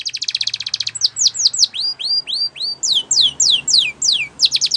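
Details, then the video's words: Training song of a Spanish Timbrado canary for young canaries: fast rattling trill, then slow repeated rising-and-falling whistled arcs, ending in sharp descending sweeps and another quick trill. "Spectacular SPANISH TIMBRADO Canary, This Canary Invites All Birds to Sing"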